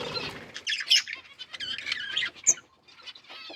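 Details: Budgies chirping in a bird colony: dense, scratchy high chatter and warbling phrases that come in bursts, with a sharp whistle-like note near the end and brief quiet gaps.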